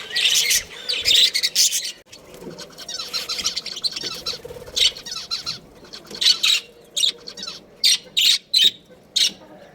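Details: Budgerigar breeding pair, Australian parrots kept as a family: bursts of high, scratchy chirping chatter that break into short, evenly spaced chirps near the end, with soft rustling between them.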